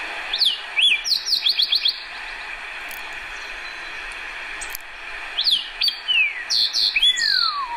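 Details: Fox Sparrow song from Idaho: distinctive rich, big looping whistles open each phrase, followed by quick slurred warbles and a long falling whistle; two phrases, clear and bright.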